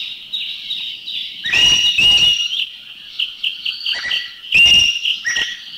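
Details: Harsh, strident bursts from a Green Magpie in Thailand, a few loud calls spaced out. Behind them a Greater Necklaced Laughingthrush keeps up high wavering whistles throughout.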